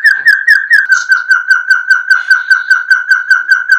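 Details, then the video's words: Puyuh gonggong, a quail named for its barking call, uttering short clipped whistled notes in a fast regular run of roughly two and a half per second, plus a brief higher chirp near the start. "SUARA BURUNG PUYUH GONGGONG"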